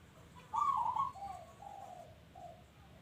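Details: Local zebra dove giving one loud rolling, trilled coo followed by a drawn-out series of softer, lower coo notes that fade away, with faint background hiss.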